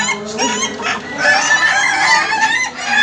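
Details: Ayam ketawa, laughing chicken, in a contest final: a continuous run of stuttering, harmonic cackled crowing that rises and wavers, with crowd noise underneath.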